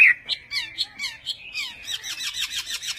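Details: Chinese hwamei of the western type singing in Vietnamese song style: a quick run of varied whistled and chirped notes, slurred phrases giving way to rapid high twittering repeated several times a second.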